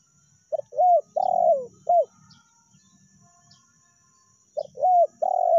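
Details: Spotted dove lure call, with the meratus challenge style and the melambung calling style: two phrases of three to four mellow coos, each with a short note, an arched coo, a long falling coo and a final clipped coo. A pause falls between the phrases.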